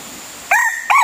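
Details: Red junglefowl crowing, a decoy bird used to lure wild junglefowl: two short, clipped crow bursts with strong harmonics, the second cut off, over a faint steady hiss.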